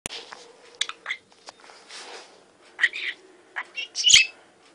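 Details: Talking budgerigar chatting: quick, scratchy bursts of high, speech-like syllables and chirps.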